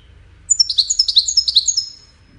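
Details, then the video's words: After a brief silence, a European goldfinch known as wedani launches into a lively, jangling twitter. It runs about a dozen sharp, high notes, some slurred downward, over roughly one and a half seconds, then fades. "طائر الحسون الويداني"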